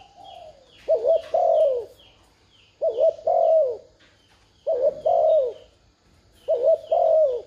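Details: Spotted dove cooing to prompt a decoy into calling: four evenly spaced phrases of a stuttered double coo and a longer sinking note, with faint high chirps of small birds in the background.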